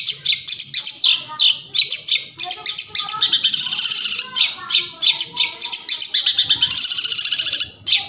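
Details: Long-tailed shrike singing, used as a lure to set silent shrikes singing: harsh scratchy chattering notes mixed with squawks and rapid repeated bursts, high and dense, with brief low whistled tones underneath.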